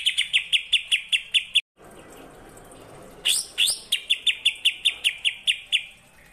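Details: Greater green leafbird repeating rapid, evenly spaced high chirps in the kapas tembak style, a brief silent break, some sharp sweeping notes, then the chirp series resumes.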